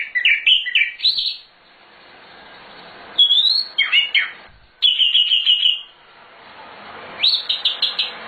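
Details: Nightingale with a full, lively repertoire, recorded as a master song for training birds. Bursts of rapid warbled notes alternate with pauses, including a fast trill of repeated notes and a closing series of quick chirps.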